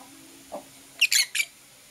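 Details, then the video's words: Lovebirds, blue opaline and parblue euwing opaline, in the morning: a soft low note followed by three quick, piercing high chirps in rapid succession. "Lovebird Chirping Sounds"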